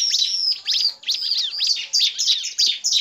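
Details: Male and female bar-winged prinia calls combined with chattering, used as a lure to attract and stimulate birds: repeated short clusters of high, sharp downswept chips and buzzy notes, about three per second.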